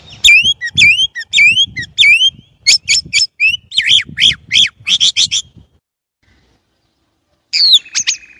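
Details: Chinese blackbird song of rapidly repeated phrases, each a rising and falling whistled note, delivered in quick bursts for about five seconds, then a pause and one final doubled phrase.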